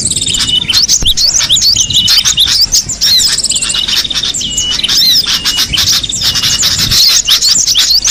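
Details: Free-living cinereous tit: lively stream of high chirps and bright whistled slurs, repeated and overlapping through the clip. One soft low thump is heard early, under faint background noise.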